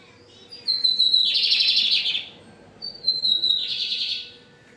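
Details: A Lined Seedeater sings strongly, two phrases about two seconds apart, each a clear, high whistled note running into a fast, buzzy trill, over a quiet background hum.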